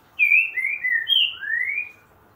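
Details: Green-winged saltator of the "boca mole" song type gives a rich whistled phrase: slurred notes sliding downward, a brief high note, then one long rising whistle, over a quiet background.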